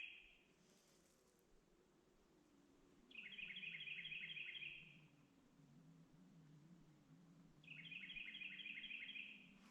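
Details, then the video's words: Carolina wren, identified with the Merlin app, singing loudly in the background on Turkeypen Ridge trail, Great Smoky Mountains: bright, rapid rolling phrases of repeated notes, about a second each, seconds apart, over wind and trail noise. "I don't know if you can hear it in the background or not, but that's a Carolina wren."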